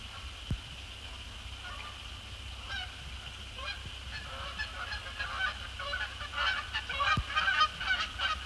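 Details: Canada geese, resident and migratory, flying across the post-sunset sky to splash down on Sapsucker Woods Pond on December 2, 2017; irregular nasal honks, sparse at first, then thickening and louder toward the end over a steady high background hum.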